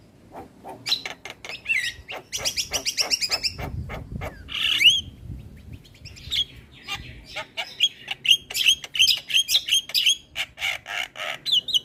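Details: Javan myna singing vigorously, recorded to train other mynas: mixed harsh chatter and squeaky notes build into a long series of rapid, repeated whistled chips in the second half.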